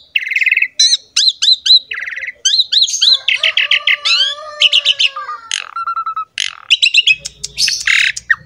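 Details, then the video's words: Lure song of the jalak suren, or Asian pied starling: dense chattering notes, squeaky upslurs, long descending whistles and harsh rasps, with a low hum near the end. "MASTERAN DAN PANCINGAN BURUNG JALAK SUREN GACOR JUARA"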